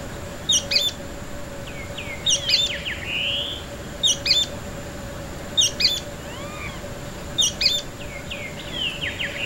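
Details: Sooty-fronted spinetail (Synallaxis frontalis), song.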